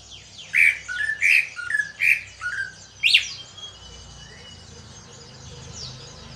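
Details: Captive greater green leafbird, which had only just begun singing after a heavy moult, gives four rich, squawky notes about once a second, then a loud sweeping phrase; its owner says its song differs from others.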